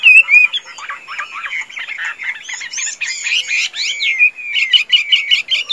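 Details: Tame Chinese hwamei, known as a good singer and fighter, begins with clear whistles, then a dense scratchy chatter, followed by strong looping whistled phrases and rapid repeated notes.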